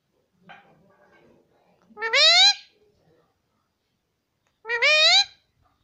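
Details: Pet parrot talking mummy and papa nonstop: a soft mumble, then two loud, drawn-out nasal calls that rise steadily, about two and a half seconds apart.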